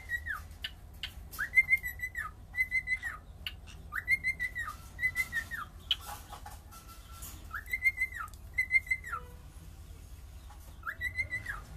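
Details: Cockatiel singing repeated arched whistles in bursts, each rising, holding and falling, with pauses containing clicks, rustling and a few short tones over a low hum.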